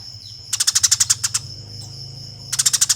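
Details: Fighting Eurasian tree sparrow used as master audio for training contest birds: one burst of about a dozen rapid, rasping chirps, then a pause and the start of another burst, with a constant high whine behind.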